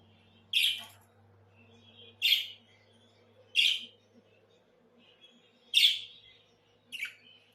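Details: Budgerigars singing in a series of five sharp, high chirps spaced roughly every one to two seconds, each brief and bright, with a faint low hum beneath.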